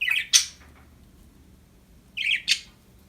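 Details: Happy pet budgies, two pairs of harsh rasping squawks, one pair at the start and another about two seconds later, with quiet room hum between.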